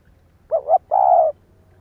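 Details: A single cooing phrase from a spotted dove calling to stimulate other doves: two short wavering coos and then one long, even, soft coo, clean against a faint low hum.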